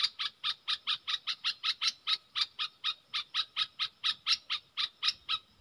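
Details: Caged bulbul of the dok taeng song style in a singing duel with wild birds, recorded 3 October 2021: an even run of short, sharp chipping notes, about three per second, for the whole stretch.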